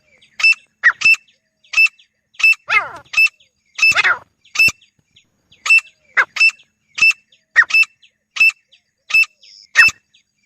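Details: Grey francolin pair calling in a steady series of short, sharp, metallic notes, many paired with a rougher lower note; a couple of longer, harsher descending sounds break the rhythm midway.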